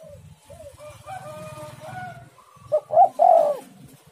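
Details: Spotted dove giving one phrase near the end, two short coos then a longer rolling coo, after a stretch of faint whistled notes from other birds and low background rumble.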